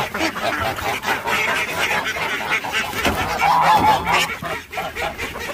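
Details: Domestic geese, let out later than usual, honk loudly and repeatedly in a noisy, overlapping chorus of harsh calls.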